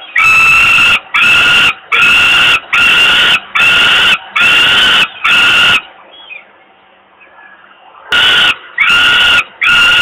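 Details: Falcon chick in Włocławek, Poland, crying from hunger on an evening in May 2022 while its father brings food. Seven harsh, evenly repeated wails give way to a two-second lull, then the loud rasping cries resume three more times.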